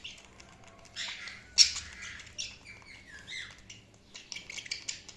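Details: Budgerigars chirping: busy bursts of high, scratchy chirps and warbling chatter, with a sharp squawk near the start and quick rising and falling notes throughout.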